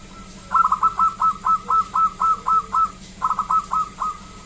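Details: Local zebra dove in a loud, clear lure song meant to set other zebra doves singing: a steady string of about ten sharp repeated notes, a brief pause, then five more.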